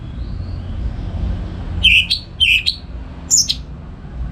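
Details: Morning singing from a captive orange-headed thrush at home in North Bali, used to lure and train other songbirds. Three short, sharp, chirped notes sound in quick succession above faint low background noise.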